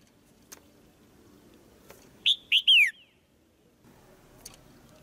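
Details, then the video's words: Single quick burst from a caged female white-eye, calling to rouse the male into louder song: three rapid notes, the final one a drawn-out falling slur, amid near silence and faint clicks. "เสียงนกตัวเมียร้องเจี๊ยก ๆ ในกรง กระตุ้นให้นกตัวผู้ร้องแรงขึ้น"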